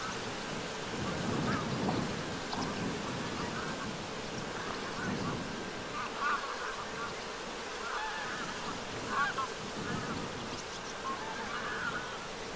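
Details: Greylag geese flying at sunset over the shore of Lake Vänern, Sweden, on 13 August 2023, give scattered nasal honks and cackles from a passing flock over a steady low rumble of wind or distant noise.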